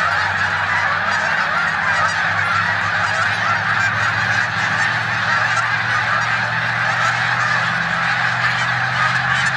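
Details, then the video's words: Migrating snow geese sharing a New York corn field with Canada geese on 14 March 2020; hundreds of overlapping high honks form a steady wall of sound, with a faint low hum in the background. "Snow Geese Invade Canadian Geese in corn field"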